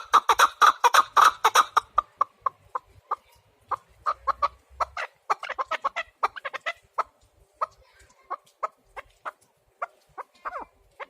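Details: Chukar partridge giving a dense burst of loud clucks, then a long loose series of sharp single chuck notes spaced irregularly, some doubled, fading toward the end.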